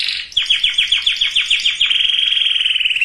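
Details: Canary singing, played to prepare females and males for breeding; rapid repeated rolling notes accelerate into a continuous fine buzzing trill.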